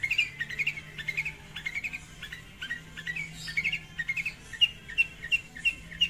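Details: Long-tailed shrike song used as a lure to call a rival: rapid, irregular high chattering notes and short whistles over a faint low hum, ending in evenly spaced clear whistles.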